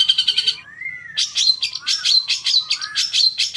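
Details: Long-tailed shrike singing to provoke caged birds: a brief rapid chatter, then a clear rising-falling whistle, followed by clusters of harsh buzzy notes mixed with soft slurred whistles.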